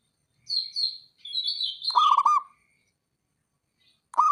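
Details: Local male zebra dove calling, a rival-provoking call: thin chirps around high pitch first, then a loud burst of fast stuttered low cooing notes, a brief pause, and another coo beginning at the end.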